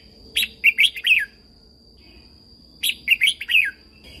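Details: Red-whiskered bulbul in Thailand, song used to excite and train caged birds: two rich, rapid phrases of about four warbling notes, the last slurring down, separated by a silent gap of about one and a half seconds.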